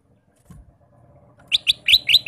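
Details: Male Ruby-throated bulbul singing throughout the day: after a low murmur of background noise, five bright, quick whistled notes ring out in a rapid, bouncing series.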